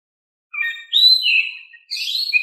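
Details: Oriental magpie-robin in gentle song, played so lazy magpie-robins respond: a short chirp, then long clear whistles that slide down in pitch, ending in a richer warbled burst. The background is silent.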